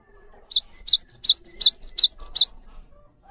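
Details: Lively Cinereous tit song for tutoring other birds: roughly seven quick repeats of a two-note phrase, a sweeping upward whistle then a high piping note, in a regular, almost chanting rhythm lasting two seconds.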